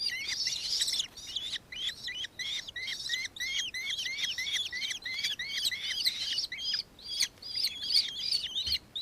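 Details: Recorded in Victoria, Australia, on 4 December 2024, a nankeen kestrel, locally called martiet or minmin, gives a long, fast series of piercing, bent notes, about three each second, with a few short gaps.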